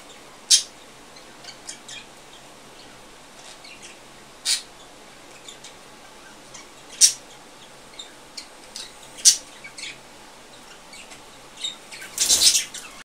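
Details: Pet budgerigars mating, giving sharp, scratchy chirps spaced a few seconds apart in a quiet room.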